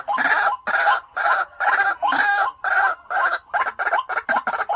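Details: Caged decoy white-breasted waterhen calling with rough, harsh repeated notes, about two per second, the later notes growing shorter and choppier toward the end.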